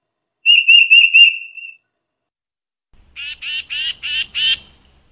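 A tufted titmouse gives a thin, high, slightly wavering whistle, then a quick run of five harsh, raspy scolding notes.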